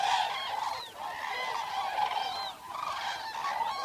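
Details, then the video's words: Eurasian (common) cranes recorded in the wild overnight, a flock trumpeting together: loud rolling honks overlapping without pause, some notes sliding upward, over a steady chorus of many birds; recording high-pass filtered below 100 Hz. "Eurasian Cranes Sound"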